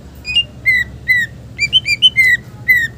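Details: Green leafbird giving clear whistled notes within a song meant to lure and tutor other birds: pure downslurred and wavering whistles repeated about every third of a second, some in quick pairs.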